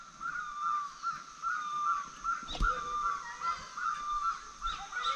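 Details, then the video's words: Birds calling in Paren, a tiny forest hamlet near Jholung, Kalimpong, in March 2024. A clear, steady note repeats roughly once a second, with a single dull knock partway through and soft outdoor background. "পাখির ডাক শুনুন।"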